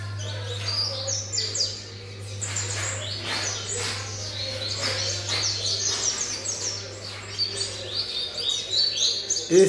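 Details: Seven-month-old variable seedeater pours out quick, high chirping song with short whistled slurs and clicks, repeated in rapid strings, accompanied by a low mechanical hum that stops near the end.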